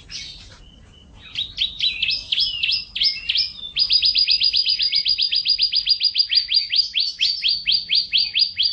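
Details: Canary singing while eating vegetables: after a short pause, a long run of rapid, high, downward-sweeping notes repeated in fast trills, shifting between several rolling phrases.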